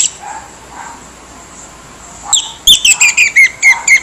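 Orange-headed thrush giving a fast run of varied, rich whistled and scratchy phrases, about six bright notes in a second and a half, after a quiet start.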